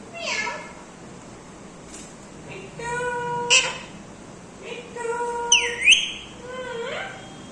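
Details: A talking pet Indian Ringneck (rose-ringed parakeet) says "mithu beta" and other short, nasal, voice-like phrases spaced a second or two apart, with a sharp, swooping whistle near the end.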